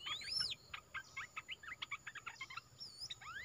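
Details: A new caged olive-winged bulbul in full song gives a run of short, sharp chip and chatter notes at an even pace, framed by clear rising and falling whistled sweeps near the start and end.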